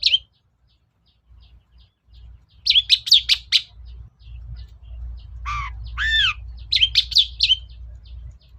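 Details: Long-tailed shrike lure sound to coax a reluctant cendet: clusters of sharp high chips and a pair of arched, descending whistles over a steady low rumble.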